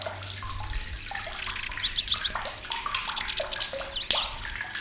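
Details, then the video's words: Lanceolated warbler, migrant to Indonesia, singing sharp high reels and rapid zigzag twitter bursts, shrill and loud, among lower slurred calls and a soft watery hiss. "BURUNG || KECICI BELALANG"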